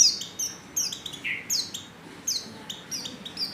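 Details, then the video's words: Oriental white-eye female giving lure calls that prompt males to sing: bright, thin, falling notes about every half second, with one lower buzzy note mid-series. "pancingan pleci betina paling ampuh,bikin pleci jantan ngalas"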